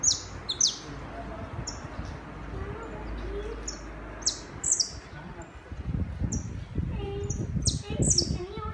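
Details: Saffron finch singing in the city: short, bright chirped notes, some sliding downward, repeated irregularly throughout, over steady low rumble and faint human voices.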